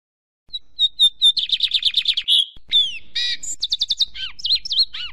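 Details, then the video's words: A Lined Seedeater sings a quick, high song: sharp chips, a rapid buzzy trill, then bright whistled notes and slurred downward sweeps. "OS 7 CANTOS MAIS BONITOS E MELHORES DO BIGODINHO"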